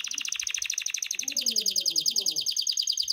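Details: Canary in breeding condition singing to attract the female: an unbroken, very fast buzzy trill, pulsing about three times a second and rising slightly in brightness, with faint low background murmur.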